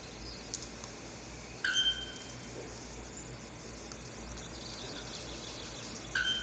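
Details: Male bare-throated bellbird giving its courtship song to attract females, an anvil-like sound audible far away: two loud, abrupt metallic clanks about four and a half seconds apart over steady background hiss.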